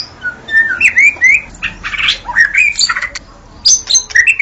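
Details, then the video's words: White-rumped shama at dawn, sound used to lure shamas: irregular bright whistles and scratchy chattering notes in short bursts separated by brief gaps, high twittering at the end. "Suara burung murai saat Fajar"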